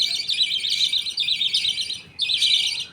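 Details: Colony of pet budgerigars at feeding time, father budgie feeding food paste to two chicks. Dense, scratchy chatter runs almost continuously, with one short pause before a final burst.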